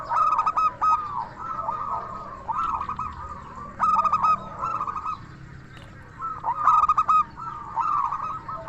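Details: Chatty local zebra dove singing with a crystal voice, recorded as a lure to make other doves reply; loud bursts of staccato coos then drawn-out notes recur about every three seconds above a dense background of other cooing doves.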